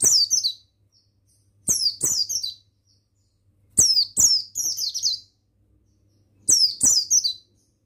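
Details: Male mountain white-eye (buxtoni), used as a tutor recording to train other birds: four bursts of shrill, rapid twittering, each a cluster of two to three falling, slurred phrases, separated by short pauses over a faint hum.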